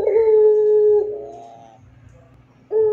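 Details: Barbary dove of the long-cooing pelung type, recorded as a master track to train other doves: one long, steady, clear low coo lasting about a second, a softer wavering tail, then a new coo beginning at the end.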